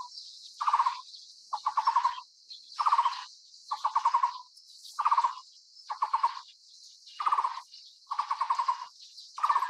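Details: A Taiwan barbet (Psilopogon nuchalis), endemic to Taiwan's low-to-mid-elevation broadleaf forests, gives low, hollow, rapidly pulsed notes, repeated about once a second, over a steady high insect hiss.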